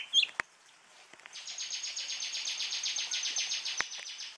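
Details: Oriental magpie-robin (Javan form) singing: one bright whistled note at the start, then a long, fast, even series of dry, buzzy, rattling high notes, about eight a second, with a few sharp clicks.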